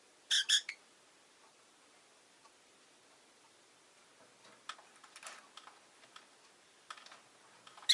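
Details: Two quick, harsh, high chirps from a pet rosy-faced lovebird open the recording, then soft clicks and rustles, and another shrill chirp right at the end.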